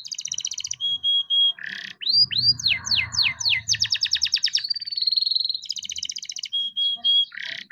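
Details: Caged young canary singing continuously to prompt others to sing: pulsed trills, a run of upswept curved whistles, fast repeated notes and a long even trill, over a faint low hum.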